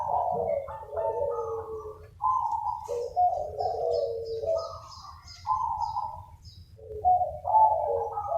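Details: Local Indonesian zebra doves, several birds cooing back and forth in an active chorus used as a lure. Overlapping rolling, trilled coos sit at mid pitch, with faint high chirps above and a steady low hum throughout.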